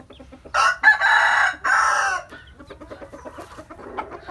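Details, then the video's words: Rooster crowing in the morning in a countryside hometown: a loud, harsh crow in four drawn-out segments, the last rough and sustained, followed by soft repeated clucks of other chickens in the background. "Tiếng Gà Gáy Buổi Sáng Ở Vùng Quê | The sound of chicken crowing in the morning in my hometown"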